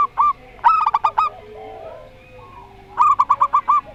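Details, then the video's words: Local zebra dove singing Rondo Semoyo style, with a short note, then a rapid rolling series of staccato coos, a quiet gap of about two seconds, and a second similar trilled phrase. "Perkutut Lokal Rondo Semoyo VS Perkutut Suara Aneh"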